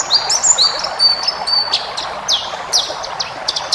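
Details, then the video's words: White-eye (pleci ngalas) singing for cage-bird training: several long level high whistles at first, then sharp downward-swooping notes and short chips over a soft background hiss. "masteran burung pleci ngalas full isian"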